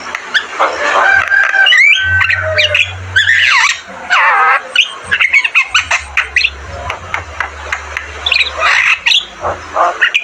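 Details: Javan myna in full, lively song: a dense run of harsh squawks, rising whistles and chattering notes, with a steady low hum underneath.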